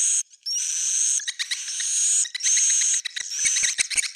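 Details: Old-style swiftlet sound: long stretches of dense, high hissing twitter with faint whistled lines, breaking at the end into choppy chirps and soft clicks.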